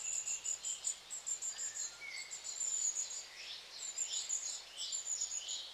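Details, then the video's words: Strings of very high, thin piping notes from long-tailed tits, interrupted by short pauses, with some downward-sweeping chirps and a couple of lower slurred whistles. "Charm of LongTailed Tits(Aegithalos Cauda)of Mesmerizing Sound Effects"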